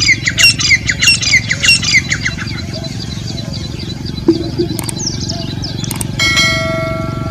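A partridge gives a quick run of high, squeaky chirps, several per second, for about two seconds, over a steady low rumble, ending with a brief thin tonal whine.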